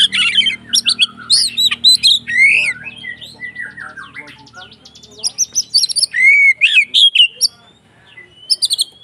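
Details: Provoking fight song of a white-rumped shama: dense bursts of sharp high chips, descending slurs and rich whistled phrases, broken by short pauses and trailing into quiet near the end, with low hum early on.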